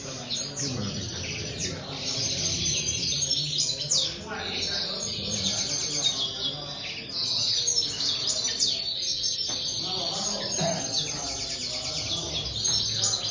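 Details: Many linnets in an aviary sing at once, a busy overlapping mass of high twitters, buzzy notes and quick trills that swells and eases over about thirteen seconds above a faint low hum.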